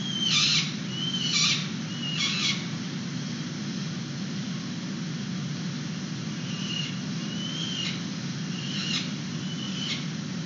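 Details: Peregrine falcon young fed outside the nest box, San Francisco, 29 April 2021, webcam: three loud harsh calls at the start, then softer drawn-out wails repeated roughly every second, with constant low hum.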